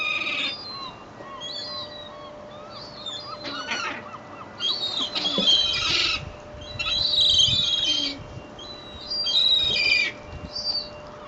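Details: Seagulls crowding for bread at Fleetwood Docks on a sunny day: repeated harsh overlapping squeals in bursts roughly every two seconds, with some lower clucking notes and a steady hum.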